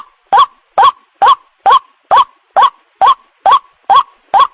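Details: White-breasted waterhen lure call, used to summon males and females: ten harsh, nasal croaks, each bending upward then dipping, repeated steadily about twice a second against silence.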